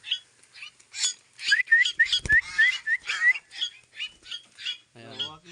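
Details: Pet koleto kept alongside pet crows, giving a rapid run of harsh, buzzy squawks mixed with short whistled upslurred notes, about three to four per second, with a brief knock midway.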